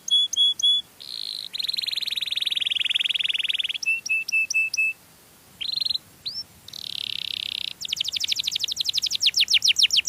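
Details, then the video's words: Canary singing sweetly as a lure for other canaries, moving through repeated short whistled notes, a long harsh buzzing tour, quick upslurred sweeps and a fast, rhythmic high trill of many rising notes. "suara burung kenari yang merdu untuk pancingan burung sejenisnya"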